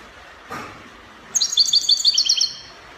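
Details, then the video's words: European goldfinch singing copia-style song, Morocco: a soft thud or knock early, then just over a second of fast, bright, tinkling twitters. "Chardonneret copia Morocco من أجمل تغريد الطائر الحسون تغريد كوبيا إسباني"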